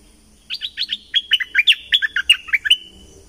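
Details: Thick-billed flowerpecker, southern Thailand, in a recording used to lure birds: a rapid, slightly irregular chatter of sharp high ticks and chips lasting over two seconds against a quiet background.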